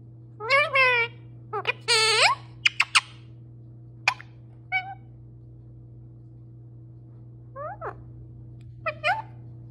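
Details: Talking pet parrot, male, produces clipped speech-like words with rich harmonics, then scattered clicks and short squeaks, separated by quiet gaps, over a continuous low hum.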